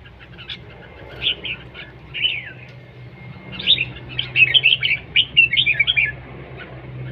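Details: Red-whiskered bulbul singing competitively, opening with a few scattered notes, then a lively, rapid chain of warbled whistles in the second half, steady faint hum underneath.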